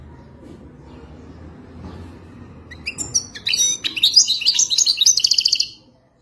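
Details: European goldfinch mating song from a wild bird, meant to teach a caged goldfinch: quiet low hum for three seconds, then a fast, bright twittering phrase of tinkling trills and buzzes that stops abruptly.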